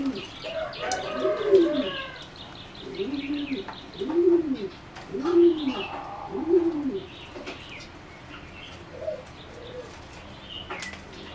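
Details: Singing zebra dove from a line bred for competition, in a flight aviary on 30 April 2014, gives a run of five loud rolling arched coos about every second, then quieter cooing, amid scattered chirps from other birds.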